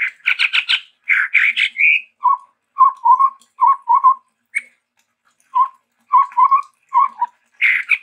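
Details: A Sumatran endemic, the chestnut-rumped babbler, in lively varied song. Harsh chattering bursts open the sequence, followed by a steady series of low whistled double notes repeated about every second, then a final rasping burst.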